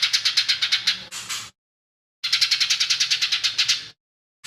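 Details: Lesser green leafbird delivering harsh, quickly repeated rasping pulses in two phrases of about one and a half seconds, each ending in a buzzy flourish; its song said to include imitated sparrow, tengkek buto and cililin calls.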